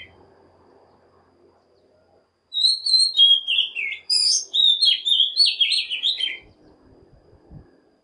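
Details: One bright, varied phrase from an Oriental magpie-robin, played to provoke other birds to sing: rapid high whistles, slurred warbles and short sharp notes lasting about four seconds, with faint background rumble.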